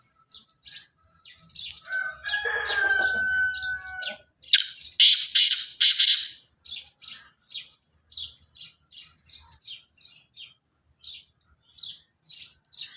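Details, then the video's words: Black francolin, pure Sindhi chirki strain. A loud burst of three rasping, buzzy notes rises above a busy backdrop. Before it come a long whistled tone and soft chirps, and quick faint chirps from other small birds follow. "پیور سندھی کالے تتر کی اواز سندھی چڑکی نسل کا کالا دتن چل سو چل pure Sindhi Kale teetar Ki Awaaz"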